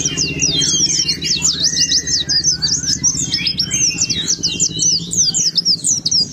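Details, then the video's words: A white-eye (pleci) singing with open beak, used as a lure to prompt other white-eyes to sing, pours out a fast, unbroken twittering warble of high, thin slurred notes over a faint low hum. "Pancingan ampuh pleci buka paruh"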